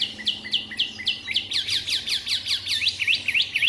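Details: White-rumped shama, a caged three-month-old bird in Hanoi, sings rapid, regular clipped notes that speed up into a dense, ringing trill of sharp downward chips, several per second.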